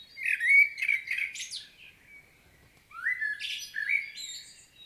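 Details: A common blackbird, recorded in Świnoujście, Poland, on 25 September 2022, sings two unhurried phrases, each a mellow fluted warble breaking into a thin, squeaky twitter at the end, with a short pause between.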